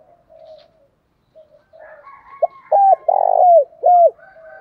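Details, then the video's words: Spotted dove calling, used as a lure call for new birds: it coos softly and low, then breaks into four louder, mellow, slurred coos in quick succession, about two per second. "tieng thúc gáy gọi/ chim cu gáy kích bổi mới"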